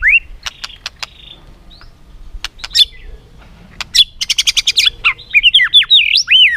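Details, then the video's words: White-rumped shama in competitive song: scattered sharp ticks, then a fast rattling series of clicks, finishing with loud swooping whistled phrases. "chòe lửa tạch liên tục đập đuôi dùng kích chòe lửa lên lửa hót đấu"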